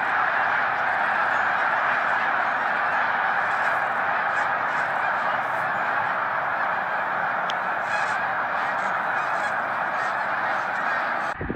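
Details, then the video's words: A huge gathering of snow geese at Middle Creek in 2022 keeps up a constant, dense clamour of honks, with a few sharper individual calls standing out above the din. "Middle Creek snow geese 2022"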